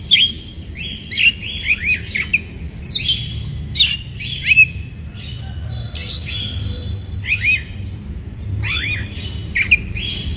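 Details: White-rumped shama song meant to provoke rival birds, bird in breeding condition; clustered downslurred whistles and ringing high notes in short runs, pauses between, faint background hum throughout.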